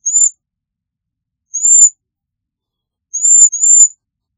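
Cedar Waxwing giving thin, very high, slightly buzzy whistles, four notes spaced over four seconds, the last two close together; nothing else heard.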